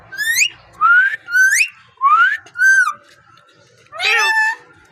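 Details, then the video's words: Parrot with a beautiful talking voice, giving five clear rising whistled calls rich in overtones, each about half a second long, then a harsher, broader squawk-like call at the end, indoors and quiet. "Amazing parrot beautiful talking and voice"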